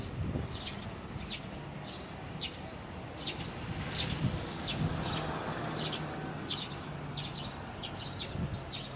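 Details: Jecheon station square, 9 April 2016 (Saturday): several birds give short, sharp chirps at uneven intervals, roughly a hundred a minute, partly masked by heavy low traffic rumble.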